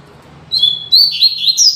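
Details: A Double-collared seedeater (coleiro) sings the classic 'tui tui zel zel' training song: two brief slurred phrases of clear, high whistled notes, then a quick run of sweet rising and falling whistles, over a quiet background.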